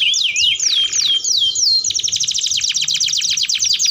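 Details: Canary giving lively song as a training lure for learning canaries: a few looping whistled swoops, then a long, very fast rattling trill of sharp chips.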